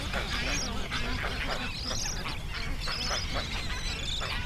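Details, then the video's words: Young pelican siblings fighting each other; harsh, raspy squabbling calls in dense overlapping bursts over a constant low rumbling background. "Sibling Rivalry"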